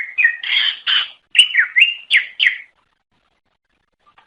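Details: Indonesian greater green leafbird (cucak ijo) giving its lure song for other cucak ijo: harsh buzzy notes and swooping whistled chirps in quick succession for under three seconds, followed by silence.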